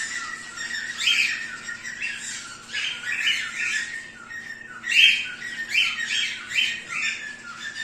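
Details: Aviary zebra finches give nasal, buzzy calls in quick irregular bursts, several birds overlapping.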